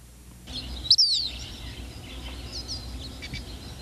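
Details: Eastern Phoebe, a flycatcher named for its call, gives one brief, high, slurred note that falls in pitch, followed by a few faint chirps and steady background hiss.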